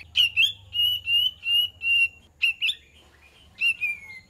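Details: Kapas tembak lure song. Clear, sustained whistled notes are given in a measured series, then two short phrases and a final descending whistle, with a faint low hum at the start.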